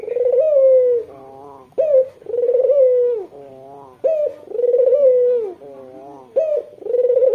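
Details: Red-eyed white Barbary dove in full voice, serving as a decoy caller for local doves. A steady run of deep, rolling coos comes roughly every two and a half seconds, each separated by a gentle, even hum and introduced by a short, sharp note.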